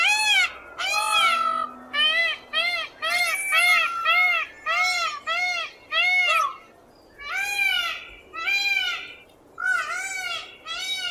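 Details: Indian peafowl screech in 8D audio: loud, nasal, arched wails repeated roughly every second, in bursts with short gaps between series.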